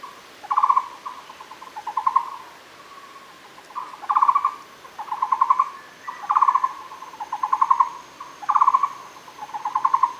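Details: At Fushan, a Muller's barbet calls in repeated bursts of rapid, knocking pulsed notes, often doubled, roughly every second or two. A faint high steady tone runs in the background.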